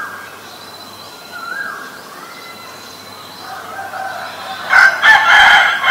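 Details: Asian koel calls, male and female. Faint upslurred whistles come first, rising and falling softly. Near the end a sudden loud cluster of harsh, rapid notes takes over.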